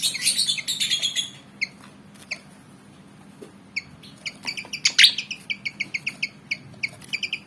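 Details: Black-and-white Javan fantail, roughly 19 cm, fired up to fight, opens with a dense noisy burst, pauses, then returns with quick repeated high chips and one sharp loud note.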